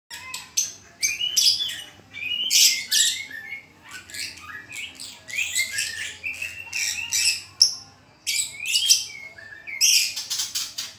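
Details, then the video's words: White-rumped shama singing in trotolan style: loud, varied bursts of high, sharp chirps and quick trilled phrases, with brief pauses between phrases and faint low hum underneath. "BUNYI BURUNG MURAI BATU TROTOLAN KE2"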